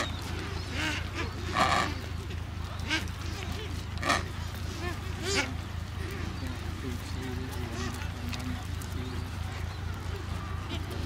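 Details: Adélie penguins in a large breeding colony on Paulet Island, Antarctica, recorded 1 February 2019; low, wavering harmonic braying calls rise and fall in loose series, with sharp bursts every few seconds over constant low hum.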